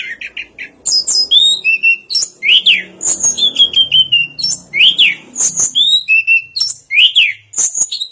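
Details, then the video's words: Orange-headed thrush song of clear, separate whistles, repeated up-and-down slurs and short descending notes, delivered in crisp phrases with brief pauses between them. "Suara Burung Anis Kembang Durasian"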